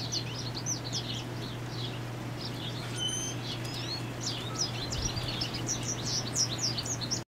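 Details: A male American goldfinch sings a fast, high, run-on twitter of short chirps and slurred notes northwest of Valeport, Saskatchewan, Canada, on 15 May 2018, over a steady low hum and light background noise.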